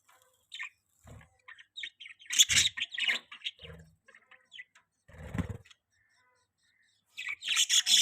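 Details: Pet budgerigar chirping: busy, scratchy warbles and quick high chirps in irregular bursts, mixed with low thumps and rustling noises.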